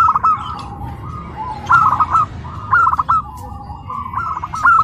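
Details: Local zebra dove, a tame house-kept bird at a bird contest in Karawang, gives quick staccato cooing phrases roughly once a second, with a continuous background drone of other cooing doves and faint crowd noise.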